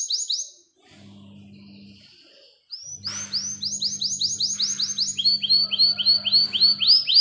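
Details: Young canary song meant to prompt silent canaries into long, clear rolls; rapid repeated rising chirps in fast trilled series, pausing briefly, then resuming over a steady low hum.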